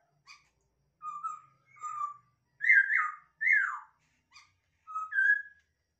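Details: Bred in captivity, a masked laughingthrush utters faint short notes, then level and upslurred whistles and two loud downward-sliding whistles, finishing with a rising note; faint low room sounds.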